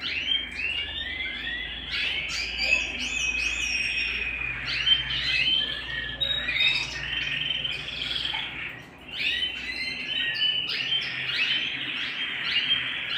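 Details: Indoor canary singing busy bursts of chattering, squeaky trills and whistles, with a brief lull midway before the song resumes.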